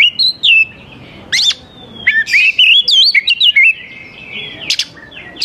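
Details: An oriental magpie-robin sings energetically, a recording meant to coax young wild forest birds into answering. Sharp rasping bursts open and close a run of quick, twisting whistled notes, with one long level whistle near the middle.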